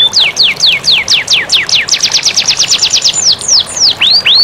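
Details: Canary training song for reluctant singers with flowing water sound: a string of descending whistled slurs speeding into a quick chattering run, ending in rising and falling looped notes over steady background hiss.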